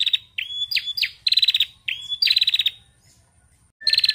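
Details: Calls of a female bar-winged prinia played to coax other prinias into song; high, even whistles each followed by a quick chattering rattle, repeated several times, then a silent stretch before one more rattle.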